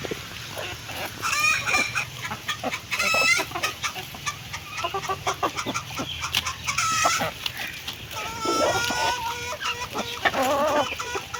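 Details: Hen calling while it eats food, giving clucks and several drawn-out, wavering harmonic notes that rise and fall, spaced a few seconds apart over steady background noise.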